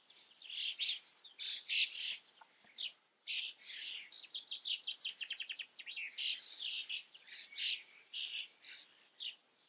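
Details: Common starling in the Eifel region of Germany delivering a busy, varied song of sharp chirps, clicks and a fast rattling series of repeated notes midway.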